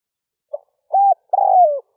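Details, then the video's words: Early-morning cooing of a decoy spotted dove meant to attract wild doves: a faint soft note, a steady low coo, then a long mellow coo that slides down at the end. "Tiếng chim cu gáy rút bổi nhanh về - kích bổi nhanh nổi"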